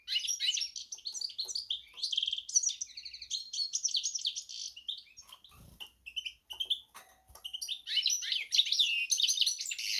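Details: Canary and goldfinch hybrid in a rambling, high twittering song, a dense burst of trills opening, scattered chips and faint clicks in the middle, and a renewed lively warble at the end.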